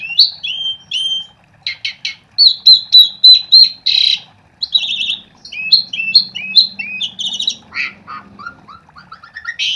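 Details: Asian pied starling in full song as a lure for other starlings: a long varied run of whistled slurs, dry rattling clusters and repeated sharp notes, several a second, with a low hum underneath.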